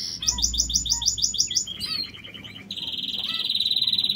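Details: Aviary king quails giving a series of sharp, high, evenly spaced piping notes, then a brief drop to a lower note, then a fast, buzzy trill of repeated notes.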